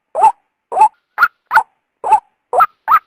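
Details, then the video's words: Female white-breasted waterhen call, used as a lure to draw males out of their habitat for trapping: seven short harsh notes, alternating a lower hooked note and a higher note, about two per second, with a quiet background. "suara burung ruak betina"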